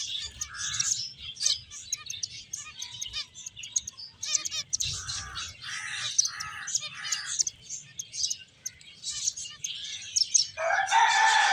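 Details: Finches chatter while playing and eating: rapid overlapping high chirps with bursts of lower, rhythmic buzzy notes repeated in quick series, and a louder harsh burst near the end.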